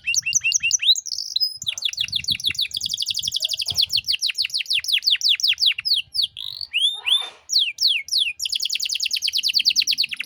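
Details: Canary singing nonstop, recorded as a tutor song for young birds to copy: dense rapid trills of high sweeping notes, brief pauses, sharp rising whistles, and another long fast rattle near the end, with faint background thumps.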